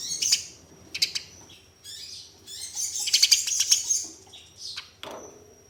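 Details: Sparrow fight, Eurasian tree sparrows: sharp chirps, then a dense burst of fast, overlapping shrill chattering with wing flutter, ending in a single high note; lure for caged birds.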